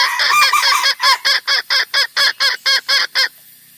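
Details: Red junglefowl lure call for trapping: a rapid run of short harsh cackling notes, about two per second, slightly uneven at the start, then stopping abruptly before the end.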